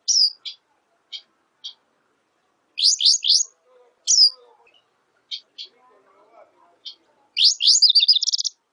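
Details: Black siskin song of spaced sharp chirps breaking into fast twittering runs, ending in a rapid rising and buzzy trill, with faint low rustling in between.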